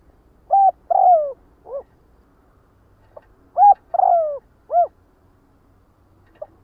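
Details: Spotted dove calls to gather its flock, repeating a soft three-part coo: short note, drawn-out descending coo, short final note, about every three seconds.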